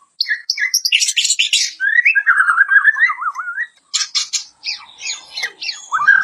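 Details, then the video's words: White-crowned shama song meant for training other birds. Harsh high chatter opens into a fluid, wavering whistled warble, then gives way to sharp clicking bursts and descending squeaks. "VARIASI KICAUAN MURAI BATU KEPALA PUTIH | UNTUK MASTERAN MAUPUN PANCINGAN"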